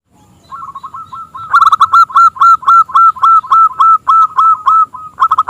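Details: Local zebra dove with a small, crystal-clear voice, singing to lure rival doves into song: a quiet start, then a steady run of bright, clipped hooting notes, about three to four a second, each slightly rising.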